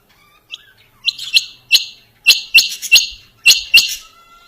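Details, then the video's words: Calling quail giving loud, short, rasping notes in uneven pairs and clusters, high-pitched and metallic, about nine notes over four seconds with near silence between. "Dhoghla Batair Ki Awaz | Harlequin Quail Calling | King Quail Calling | Female Rain Quail Calling"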